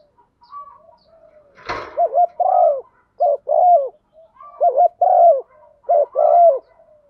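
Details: Spotted dove hen giving a rousing coo to excite the male, used for luring: a sharp knock, then three low phrases, each a short doubled note and a drawn-out descending coo, over faint background murmur.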